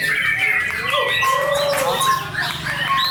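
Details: White-rumped shama, described as a champion bird, singing clear, drawn-out whistled notes, some held level and others sliding, over a busy background of other chattering birds and human voices.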